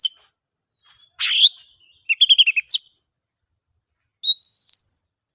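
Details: Oriental magpie-robin song meant to lure silent birds into singing: a harsh chirp, a quick string of short stuttered notes, a sharp note, then one long clear upslurred whistle.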